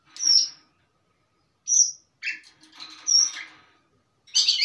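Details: Long-tailed shrike singing in steady 'mapan' style with many song fillers: separated bursts of high, harsh chattering notes, one sharp whistled phrase near the middle, with a faint low hum underneath.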